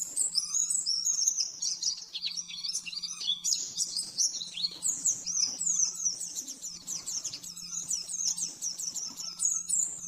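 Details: Rapid 'nembak-nembak' master song of an oriental white-eye, meant for training caged birds: a continuous, dense stream of shrill, quick twitters and trills with hardly any pause, over a steady low hum.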